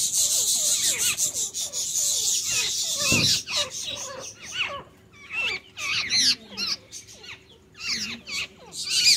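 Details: Bulbuls, a male feeding food into his female partner's mouth in courtship, give rapid, squeaky chirps that bend up and down, in quick bursts about once a second over a steady high hiss.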